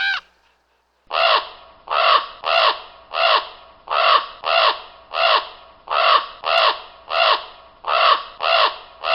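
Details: Common raven (Corvus corax) giving a steady run of harsh, hoarse caws, about two a second, often in loose pairs, with nothing else heard.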